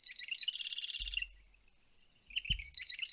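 A Marsh Wren sings a high, rapid, mechanical rattle that opens with a few sharp notes, then a second burst of the same gurgling chatter after a short pause.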